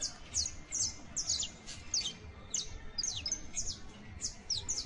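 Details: Young saffron finch trilling its first songs: paired and grouped high, descending chirps, bright and slurred, repeated in short phrases with low background noise.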